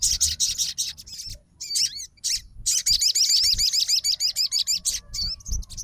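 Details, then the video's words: Sogon (Crimson Sunbird) fighter bird responding immediately to another sogon's singing: shrill, rapid trills of wavering notes in long strings, separated by short gaps, all high-pitched and energetic. "SOGON FIGHTER LANGSUNG RESPON DENGAR SUARA SOGON GACOR"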